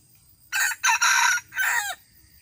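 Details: A wild red junglefowl cock from 2018, said to crow very well, delivers a rasping three-part crow: a short opening burst, a longer strong middle, then a final phrase that slides downward. Faint constant insect whine underneath.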